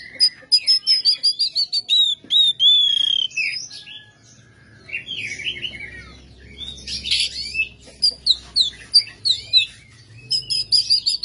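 An Oriental magpie-robin sings a fast, varied song of clear whistles mixed with harsh, scratchy notes, delivered in bursts with a brief pause midway.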